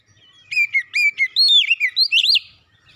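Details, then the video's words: Oriental magpie-robin singing, used as therapy for a stressed bird: a rapid series of loud, sweet whistled notes, some slurred up or down, ending in a higher rising phrase, with quiet background. "terapi Kacer dan pemulihan Kacer setres cepat gacor"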